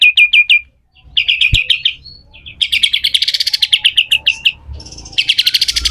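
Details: Harsh 'besetan kasar' song of a pied triller, recorded as tutor material for training other birds: short bursts of rapid, clipped chirps separated by pauses, a single sharp click, then a rasping, buzzy trill at the end.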